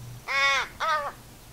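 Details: A fledgling American Crow begging for food at a backyard feeder in the western United States in late spring or summer gives two harsh, nasal, drawn-out caws, slightly arched, the second shorter and falling away.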